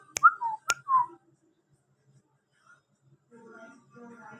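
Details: A hand-tamed, whistle-trained rose-ringed (ringneck) parakeet chick: two sharp clicks, then three slurred whistled notes, rising then falling, followed by soft murmuring voices.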